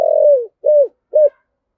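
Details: Spotted dove luring call in the 'giọng thổ' style: one long, slightly falling coo followed by two shorter, arched coos, evenly spaced, clean and close with no other sounds.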